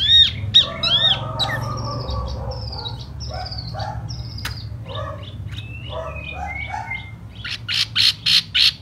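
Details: Spring laughingthrush song delivered in spread-out display style: looping whistles and rich warbling phrases, some rising, some falling, continuing steadily, then ending in a series of evenly spaced harsh scratchy bursts.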